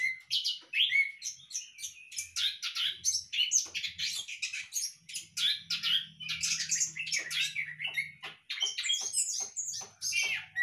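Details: Caged Orange-headed thrush, bred in a hanging cage, delivers a long, continuous outpouring of chirps, trills and whistles, ending in quick staccato notes; faint low droning underneath.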